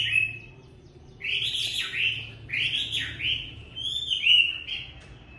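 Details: Chinese hwamei in song on a very cold day, delivering loud slurred whistled phrases that rise and fall in separate bursts with short pauses between them.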